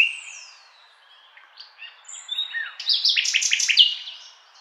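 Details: Nightingale song that opens on a sliding whistle, continues with soft scattered notes, then breaks into a loud fast series of sharp repeated notes before fading out.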